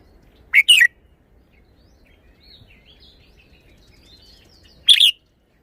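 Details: Red-whiskered bulbul showing its song phrasing: a short two-note warbled phrase, faint thin twittering, then another brief bright phrase about four seconds later.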